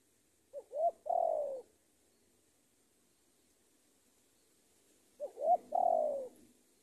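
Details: Decoy spotted dove used as a lure, calling to draw a rival: two phrases about four seconds apart, each with two short rising coos and then a long, drawn-out, falling coo, in a quiet setting.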